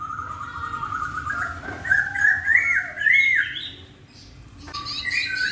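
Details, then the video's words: Melodious laughingthrush song prompting another laughingthrush to answer: a run of bright whistled, wavering notes swelling into loud rippling phrases, a brief pause, then fresh whistles resuming. "KICAUAN POKSAY YG MERDU MEMBUAT POKSAY LAIN LANGSUNG NYAUT"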